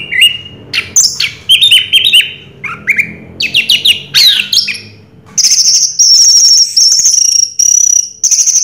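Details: Orange-headed thrush singing in the Raja Teler style: a loud, varied run of clear whistled and buzzy phrases, each note sliding up or down, broken by short pauses, ending in high sustained trilled notes.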